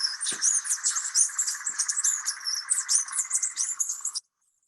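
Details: Bee hummingbird from Cuba's Zapata Peninsula, its stronghold, gives a continuous run of very high, thin, scratchy squeaks and twitters for about four seconds over a steady buzzy hum.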